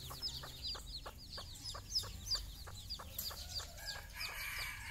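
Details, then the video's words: Hen leading her chicks out on their first morning walk, calling with quick evenly spaced clucks, almost three each second, over a busy chorus of high downslurred chick peeps. "mothers hen call her babys for morning walk"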